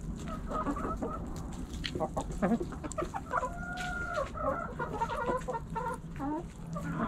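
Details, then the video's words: Backyard chickens, hens and roosters, pecking and scratching; steady overlapping hen clucks and a sustained, level drawn-out note midway, with pecking clicks and constant low rumble. "Backyard Chickens Hens And Roosters Pecking Scratching Sounds Noises Hens Clucking Roosters Crowing!"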